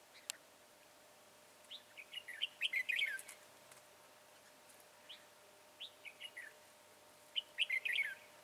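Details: Red-whiskered bulbul used in trapping with a decoy bird, singing lively bursts of rapid, bright whistled notes rising and falling, in three phrases a few seconds apart, with a sharp click near the start.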